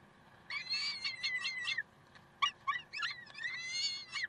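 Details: Peregrine falcons at Karlsruhe on 30 May 2010 giving a long rasping wail, then a run of sharp stuttering notes and another drawn-out cry, over a low murmuring background.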